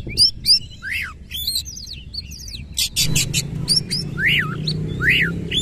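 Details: White-rumped shama singing with its tail open, a loud harsh-phrased song: sharp clicks and chirps, fast whistled twitters, and repeated arched upslurred-downslurred notes, with a steady low hum in the background.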